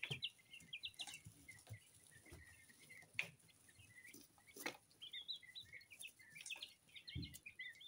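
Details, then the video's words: Common quail chicks, two weeks old and of mixed colours, kept together: many high thin peeping calls overlap in quick bursts, some rising and falling, with scattered clicks and knocks throughout. "2 weeks old QUAIL CHICKS Mixed Colors"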